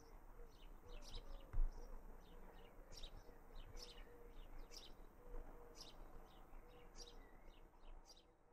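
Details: Garden recording from Raunds, 19 June 2018: a young house sparrow repeats thin, sharp chirps at a steady pace of about one per second, with one low thump and continuous low background noise.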